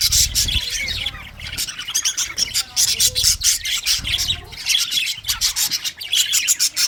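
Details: Several pet English budgies in steady chatter, high chirps and squawks in pulsing bursts, with brief lulls near two and four seconds.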